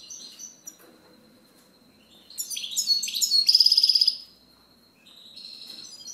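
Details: European goldfinch song: a few soft, thin high notes, then a loud burst of rapid, tinkling twitters that ends in a fast, metallic buzzy trill. Quieter chattering notes follow.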